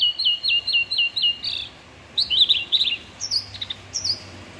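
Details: White-rumped shama (Copsychus malabaricus) song, used as a training recording for other shamas: a quick run of six identical clear chirps, then varied warbled phrases and a few higher, ringing whistles; no other sounds.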